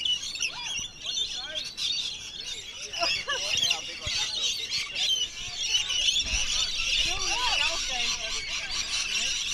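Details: Wild rainbow lorikeets being hand-fed at Bungalow Bay, Magnetic Island, on 26 December 2013 at the end of a wildlife tour: a dense, loud chorus of shrill screeches and chatter from many birds at once, with people's voices beneath.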